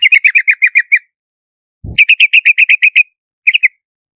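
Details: Yellow-vented bulbul delivering two quick runs of sharp, bright chirps, with a brief low thump before the second run and a short two-note phrase at the end.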